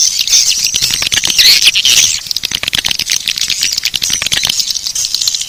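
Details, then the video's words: Lure call for drawing in swiftlets, the Bangkit 18 type: a thick wash of sharp, high clicking chirps repeated in quick irregular bursts, louder in the first two seconds and then steadier. "Suara Panggil Walet Bangkit 18"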